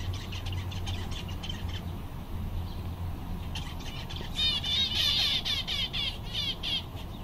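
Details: Seven content zebra finches on a summer day call busily: rapid nasal beeps, about four a second. They start soft, then swell into louder, overlapping, slightly wavering toots from several birds, over a faint low hum.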